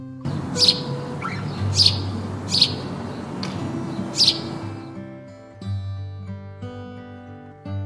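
A sparrow gives four sharp, high chirps spaced about a second apart over a soft musical background, then music alone takes over.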